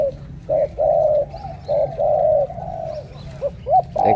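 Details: Spotted dove from Cà Mau, Vietnam, cooing in a deep 'thổ cọp' style: a run of low, hollow coos in short bursts with brief pauses, each note fairly steady in pitch, ending with a couple of quick rising notes.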